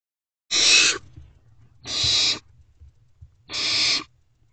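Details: Barn owl owlets in a nest box at 9:12 pm on 21 May 2023, one working on a rodent while siblings look on; three harsh, broadband rasping hisses, each about half a second, spaced roughly 1.5 seconds apart.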